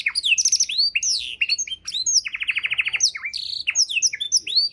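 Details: Canary performing a rich song meant for tutoring songbirds: high chattering slurs and fluttering phrases, a rapid even trill of repeated notes midway, then more varied whistled sweeps.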